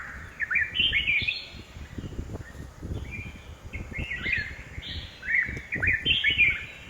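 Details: A red-whiskered bulbul in a home garden in Hosur gives bursts of bright, bubbling, chirpy whistled notes in quick phrases every second or two, over a low background rumble.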